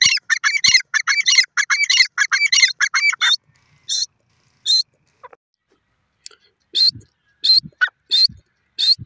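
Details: Grey francolins kept as birds calling: a rapid run of repeated harsh ringing phrases for about three seconds, then scattered single sharp notes after a pause.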